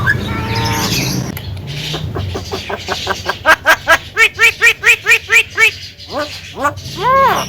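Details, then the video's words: Javan myna giving a loud series of about a dozen evenly spaced, arched, harmonic notes, then a few rising squeaky whistles, after a short harsh opening phrase. "SUARA BURUNG JALAK KEBO TERPOPULER DAN PALING DI GEMARI"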